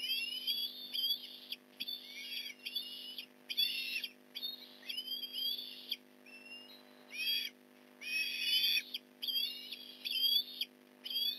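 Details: Osprey at the Port Lincoln nest, fish delivery at 8:24am, 15 November 2019: insistent series of loud, high, piping whistled calls in rapid bursts, each a cluster of slurred rising and falling notes, about a dozen bursts.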